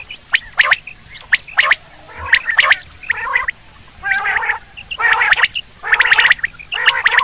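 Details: Common quail calling for hunting, a series of about eight throaty, harmonic gurgles with crisp clicks between them, coming roughly once a second.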